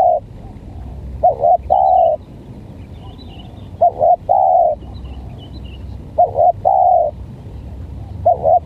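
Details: Odd-voiced spotted dove, a tekukur set against a stuttering lure dove, repeats a phrase of two clipped notes and a long steady coo, given four times about every two and a half seconds, with a faint low hum.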